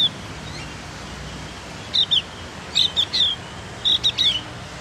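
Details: Javan Grey-throated White-eye learning its song: brief high chirps and short sliding whistles come in small bursts of two or three notes near the end, over steady low background hiss.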